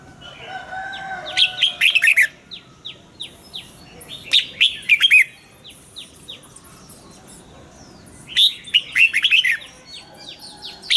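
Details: Caged red-whiskered bulbul singing its morning song in the double-note 'già rừng' style. Three loud, jumbled whistled phrases stand out, with runs of thin, downslurred chirps in between and other faint bird notes behind.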